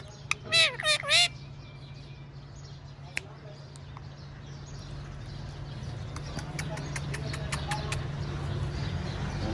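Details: Tame, playful pet talking parrot: a burst of loud, harsh, harmonic squawks in its first second and a half, then scattered sharp clicks and tapping over a steady low hum for the rest.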